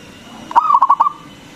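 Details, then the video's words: Local zebra dove with a big voice, used as a lure to stimulate other doves to sing: one cooing phrase, a soft lead-in followed by four quick throbbing notes and a trailing coo, over quiet background hiss. "PERKUTUT LOKAL GACOR SUARA BESAR ISTIMEWA PANCINGAN BURUNG PERKUTUT AGAR BUNYI"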